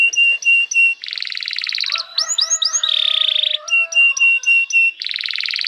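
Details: Canary song for training young canaries: short clipped high notes alternating with dense buzzy trills and three rising-falling whistles, with softer lower tones running beneath.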